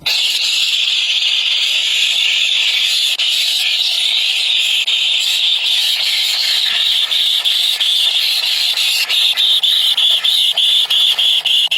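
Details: Begging from three hungry young birds: an unbroken, piercing high squeal of overlapping cheeps, loud and steady, shifting slightly in pitch near the end.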